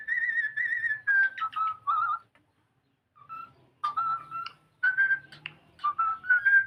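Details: Pet cockatiel singing indoors in a small room: clear warbled whistles near mid pitch, held notes then short chattering bursts, with pauses between phrases.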